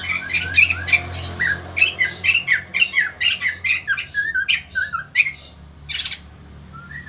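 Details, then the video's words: White-crested laughingthrush in vigorous song, other birds responding: a rhythmic series of sharp, buzzy squawks and whistles about twice a second, fading to a lone whistle at the end. "BURUNG POKSAY JAMBUL GACOR BIKIN YANG LAIN NGRESPON"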